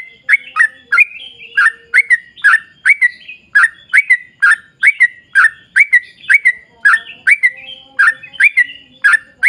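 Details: Lively sooty-headed bulbul, long-trill song meant to prompt birds of the same kind to sing: a rapid run of liquid, slightly buzzy descending notes, repeated without pause over a quiet background.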